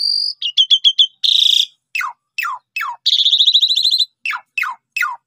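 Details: Asian pied starling lure song for young or reluctant singers: a high whistle, a quick run of four chips, a harsh buzz, then loud falling whistled slurs alternating with a long rasping trill.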